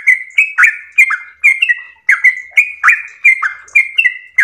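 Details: Yellow-vented bulbul singing in the long ropel style: a fast run of short whistled notes near one pitch, each opening with a sharp downward flick, with clicky high overtones and about three notes a second.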